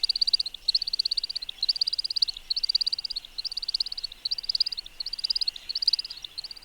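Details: American Woodcock courtship flight display in Québec, usually performed in the evening or early morning as darkness falls: high, thin twittering chirps in quick bursts, about two per second, made mostly by the wing feathers. No other sounds.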